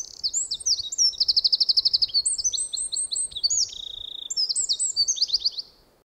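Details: Eurasian wren, one of the wrens that winter in a yard alongside great tits, robins and sparrows until spring, pouring out a loud, rapid, high-pitched song of sharp notes and fast trills for about six seconds without pause.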